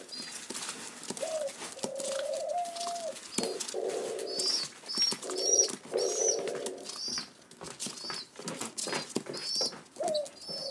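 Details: Rescued pigeon chicks indoors on their seventh day, awaiting breakfast, give fainter high peeps and some lower drawn-out nasal notes amid rustling and clicking room noise.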